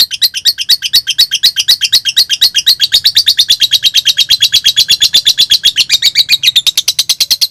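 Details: Lovebird in konslet song, used to stir stuck or young lovebirds into singing. Thin opening ticks give way to a long, dense burst of high, scratchy chirps, fast and unbroken, fading slightly at the close.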